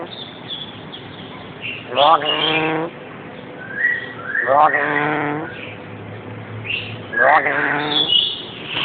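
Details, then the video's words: Male black-capped lory kept as a pet, calling during play: three rough, harmonic squawks roughly every two and a half seconds, with short whistles and chirps between them over steady indoor background noise. "(black capped lory) - making noises"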